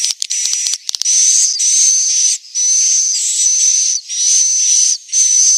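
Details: A swiftlet gives its roosting call in Central Sulawesi: a burst of quick clicks opens, followed by long raspy high buzzes with a steady whistled line, each lasting about a second.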